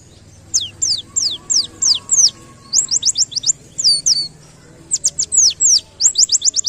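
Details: White-eye from the wild, singing canary-like phrases: clear, piercing down-slurred whistles in groups of five or six, alternating slower spaced notes with quicker clipped runs. A faint low hum stays in the background.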